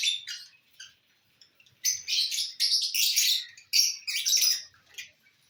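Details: Lovebirds enjoying corn, 18 December 2022; a few scattered squeaks, a near-silent pause, then a loud run of harsh overlapping chirps and chatter.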